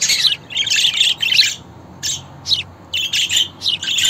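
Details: Scratchy budgerigar twittering in short buzzy bursts, several quick syllables strung together, then scattered single chirps.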